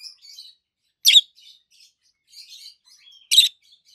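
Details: Pair of adult green peach-faced lovebirds, one red-faced and one yellowish white-faced, chirping: two loud shrill chirps about two seconds apart amid soft twittering and warbled notes.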